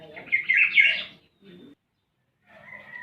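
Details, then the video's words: Black-naped oriole, known locally as kilyawan, producing one loud, rasping, nasal burst, followed by softer low chatter and a faint whistled note. "SOUND OF BLACK-NAPED YELLOW ORIOLE/KILYAWAN"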